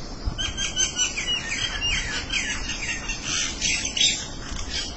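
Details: Several mynas in a lively exchange outdoors, giving repeated short squawks and slurred, descending chattering notes in irregular bursts, over constant low rumbling background noise.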